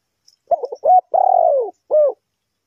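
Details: Spotted dove cooing in a bird-trapping setting: a stuttered pair of short notes, then a long, slightly vibrating low coo that falls at the end, closed by one short clipped coo; faint high chirps beforehand.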